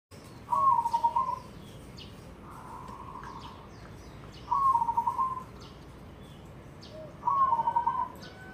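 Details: Zebra dove of a white, barred, red-eyed variety giving cooing song phrases: short rolling, slightly wavering coos, each lasting about a second, in three loud bursts and one softer one, with quiet gaps and faint background chirps.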